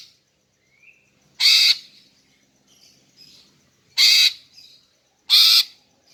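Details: Greater green leafbird female calling to lure males: three harsh, buzzy broadband screeches spaced irregularly, preceded by a faint rising whistle and soft quiet notes.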